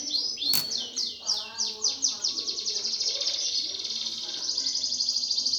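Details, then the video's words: Greater green leafbird fighting song, 'gereja tarung' style, used to spur contest birds: a fast rolling series of descending whistled sweeps leading into a continuous high buzzy trill, after one sharp click. "cucak ijo suara gereja tarung"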